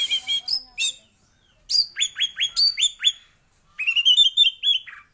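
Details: Singing male orange-headed thrush: clear, rising whistled notes in a quick series of five or six, a short silence, then a faster chain of similar slurred whistles.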